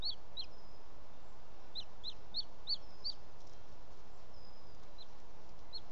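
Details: Male booted eagle bringing bird prey to the nest late on the evening of 18 June 2017, Els Ports Natural Park: scattered high, sharp whistled notes in short irregular bursts separated by gaps, with steady background hiss.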